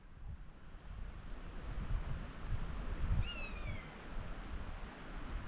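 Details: Over a gorge walk in Teesdale, North Pennines, North East England, a common buzzard hunting in the sky gives a single drawn-out, downslurred mew, high and thin, half buried under strong gusting wind.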